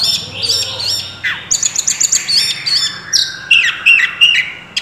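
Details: Oriental magpie-robin in full song with mimicry, a quick run of high sharp chirps and whistled slurs, then several short piercing notes repeated at about three per second, with a faint low hum underneath.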